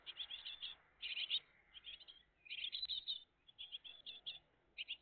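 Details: At their nest on 20 June 2023 in early morning, a great tit family gives clusters of shrill, high chirps in quick runs, separated by brief gaps of quiet background hiss.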